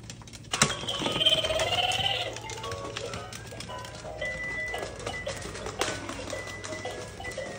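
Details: Pet cockatoo giving a loud, harsh, drawn-out screech lasting over a second, followed by softer squawks and chatter, with a person talking nearby.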